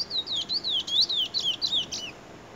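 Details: Trinidad bullfinch, described as a brown bird in the making, singing a quick warbled phrase of sliding high whistles and twittering notes for about two seconds, then quiet.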